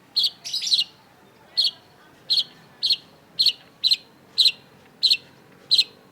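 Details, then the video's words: Cendet, the long-tailed shrike, giving a short chattering burst followed by crisp, evenly repeated chip notes about twice a second. "cendet gacor LANGSUNG GACOR !! PANCINGAN CENDET MACET || Long-tailed Shrike"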